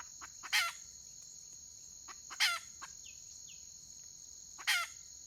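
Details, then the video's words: Wild junglefowl hen of the red species, 31 May 2023: three rough, scratchy calls about two seconds apart, faint clucks between, and a persistent shrill insect chorus. "Suab poj qaib qus tsauj"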